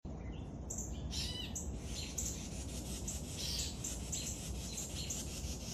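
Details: Young woodpecker being fed, giving harsh raspy buzzing notes in quick bursts, several per second, some rising strokes early on, over a steady low rumbling background.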